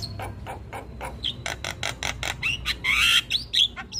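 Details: Javan myna in full, nonstop chattering song: a run of harsh, buzzy broadband notes repeated about twice a second, then sharp whistled notes that climb and twist near the end, over low background hum.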